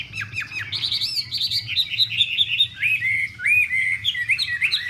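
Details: Chinese hwamei courtship: a female dances and fans her wings, urging the male into breeding readiness, while a hwamei pours out a loud, fast run of clear, slurred whistles, rising and falling without pause, over a faint low hum.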